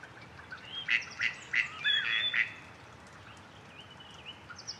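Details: Gadwall calling: a run of five short, nasal, quacking notes spaced about a third of a second apart, followed by quiet, with thin high chirps of small birds in the background.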